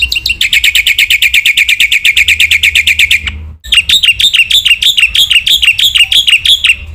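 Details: Vigorous Black-winged myna training song with many phrases: a sustained fast trill of buzzy harmonic notes for three seconds, a brief pause, then a regular series of looping, down-slurred whistles.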